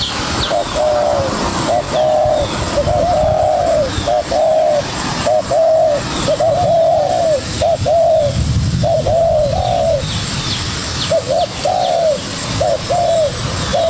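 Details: ['Spotted dove, young wild bird locked in a duel with a decoy, calls almost continuously: overlapping phrases of short coos and longer trembling falling coos, over faint traffic-like rumble and distant chirps.']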